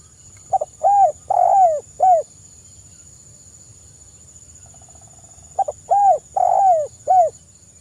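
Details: Tekukur, or spotted dove, giving its 'kuk 1' crystal-voiced song meant as a lure for other birds: two quick phrases of four rounded, downcurved coos with a longer third note, roughly four seconds apart, with a constant high-pitched hum.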